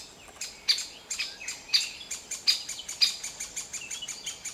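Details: Juvenile great spotted woodpecker being fed by its parents, Grésivaudan valley, May 2020: sharp, high, scratchy chirps about two a second in an uneven run, with faint softer calls between.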